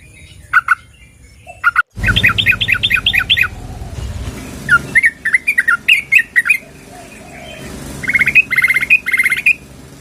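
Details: Sooty-headed bulbul, a female calling the male, used as a lure: bubbly chattering phrases around two to three kilohertz, a fast run of repeated notes, then scattered short calls and a buzzy repeated burst near the end.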